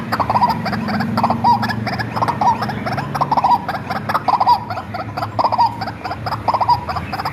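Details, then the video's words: A white-breasted waterhen kept since young and used as a lure call: rhythmic bursts of hoarse croaking notes, each with a short clear ring, repeated close to once a second over a low background hum. "SUARA BURUNG RUAK-RUAK ASLI RAWATAN DARI KECIL"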